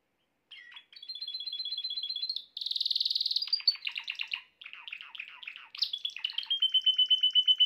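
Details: Male canary singing to bring a female into mating posture fast: steady whistled tones, a dense buzzing roll, then choppy rapid trills and a rising flourish ending on repeated clear notes.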